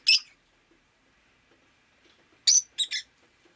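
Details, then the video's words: Rosy-faced lovebird on a rainy day giving one shrill chirp, then after a quiet gap three harsh chirps in quick succession over faint background noise. "Lovebird Chirping Sounds"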